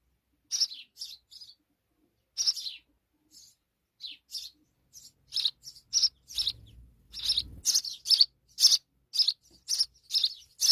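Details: Sparrow mother with her young: high, bright chirps start sparse and irregular, then quicken into a busy, almost continuous series of sharp cheeps, with a brief low rumble midway.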